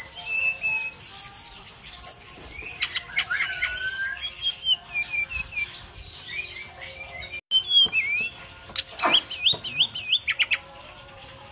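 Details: Chirping directed at other birds by a brown-chested jungle flycatcher: a long, varied medley of high trills, slurred whistles and sharp rising and falling notes, with a brief gap, then wavy whistled phrases.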